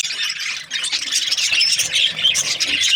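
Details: Budgies in a group, chirping: a dense, continuous warbling chatter of overlapping high squeaks and short whistled notes, steady throughout with no pauses.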